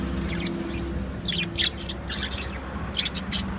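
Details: Lovebirds in a cage chattering with sharp, clipped chirps in quick clusters, a louder burst near the middle and another toward the end, with a constant low hum beneath.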